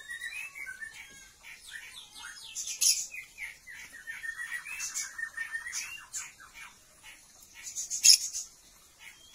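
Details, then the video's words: Captive male Oriental magpie-robin courting a female to mate, kept for breeding: varied sweet whistled and chattering phrases, including a fast trilled run midway, broken by sharp loud snapping bursts. "Beginilah Kalo Burung KACER Mau Kawin | Ternak Burung Kacer - Magpie-robin birds mating"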